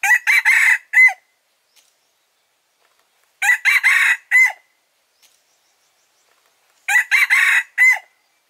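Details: Trap-lure crowing of a male red junglefowl: three identical crows repeated about every three and a half seconds, each a rapid run of harsh notes with a sharp final syllable.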